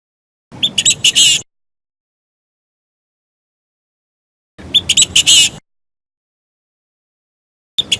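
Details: Decoy Chinese francolin calling to lure birds into traps, Vietnam: a fast burst of several rasping, high notes lasting about a second, given again after about three seconds of dead silence, then starting once more.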